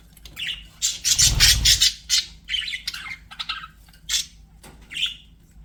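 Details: Budgerigars kept as pets giving scattered harsh squawks and short chirps, a loud noisy burst near the start, then separate scratchy calls spaced about a second apart.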